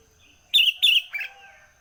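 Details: Early-morning Sooty-headed bulbul giving a single loud phrase of two bright, chirpy, slurred notes followed by a softer falling third note, over a faint steady high tone.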